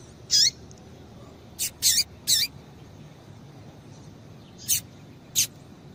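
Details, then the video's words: Female Rusty-collared Seedeater calling to get males singing: seven short, thin, high chirps, a single one, a tight run of three, a pause, then three more spaced out, over soft hiss. "Piado de Fêmea de Coleiro Com Piado de Fêmea de Coleiro Quente para Esquentar Coleiro tui tui"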